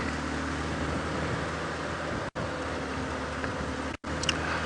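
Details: Continuous vehicle engine hum with a constant low drone, broken by two brief dropouts to silence.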